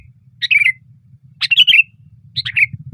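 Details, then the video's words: Loud sooty-headed bulbul song from a branch: three brief phrases of slurred, descending bubbly notes about a second apart, with a low background hum. "SUARA BURUNG KUTILANG GACOR KERAS KETIKA DIATAS RANTING"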